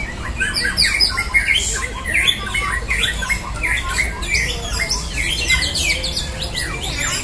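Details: White-rumped shama (murai batu) at a song competition delivering harsh, scratchy bursts mixed with sharp whistles, other birds chattering behind and a low hum throughout.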